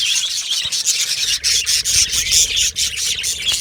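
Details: Yellow male budgerigars kept in an aviary colony squawk and chirp continuously in a thick, grating high-pitched chorus, with a few short dips in loudness.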